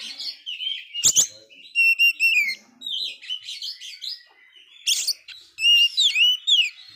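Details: Very active Oriental magpie-robin that failed its moult: sharp clicks, clear whistled phrases with sliding notes, scratchy warbles between, and a final series of ringing sweeps.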